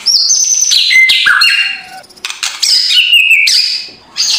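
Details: Morning white-rumped shama song meant to rouse a reluctant bird: loud, sliding whistles stepping down in pitch, sharp clicks and harsh chatter, then a high whistle after a brief pause.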